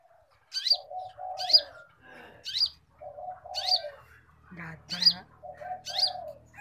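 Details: Konin singing vigorously, recorded as a cage-bird training track. Crisp rising whistles come almost every second, interleaved with low buzzy phrases and a brief harsher note.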